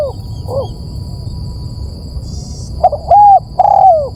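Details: Spotted dove lure call: after faint fragments, one loud phrase of a short hoot, a rounded coo and a longer drawn-out descending coo, over an even electronic hum.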